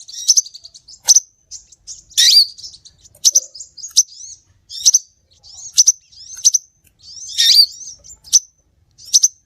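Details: Scarlet minivet lure call used to attract birds: sharp, very high chirps and short buzzy bursts repeated at irregular intervals about every half second to a second, some notes doubled, on a silent background.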